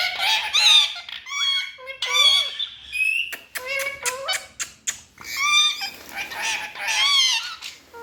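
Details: Parrots talking indoors: harsh, harmonic squawks and chattering phrases with sliding pitches, interspersed with sharp clicks and short bursts, loud and continuous throughout.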